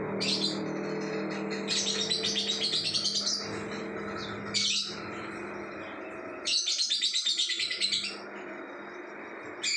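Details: Lovebird singing in bursts of rapid, buzzy, high chattering twitters, three long phrases separated by pauses, over a steady background hum and low droning noise.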